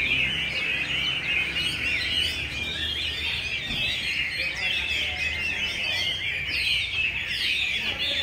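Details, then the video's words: Hwamei rehearsing for a 17 December singing contest in cold Hanoi, caged and set aside to grow used to the surroundings: dense, continuous tangle of bright twittering and slurred whistles, steady low hum throughout. "Tập dượt Hoạ Mi chuẩn bị thi đấu mùa này"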